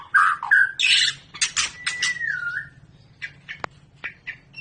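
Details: White-rumped shama, long-tailed Medan type, in a breeding pairing: harsh, squawking bursts and a drawn-out falling whistle, then scattered short chips and sharp clicks over a steady low hum.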